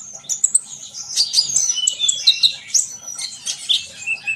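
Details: Short burst of sunbird song with thin, high whistled slurs and squeaky chips tumbling quickly together. The song is played to bring young birds into full song.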